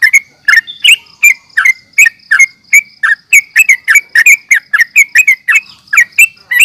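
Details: Yellow-vented bulbul fighting call, used to lure and rouse other bulbuls: a long, steady run of bright, clipped chirps in quick succession, nearly three per second, with no other sounds.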